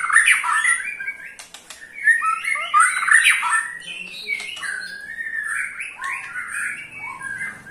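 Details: White-rumped shama ketrekan to trigger singing in other shamas: dense, overlapping jumble of chattering, squawky and whistled notes with a few sharp clicks, continuous throughout.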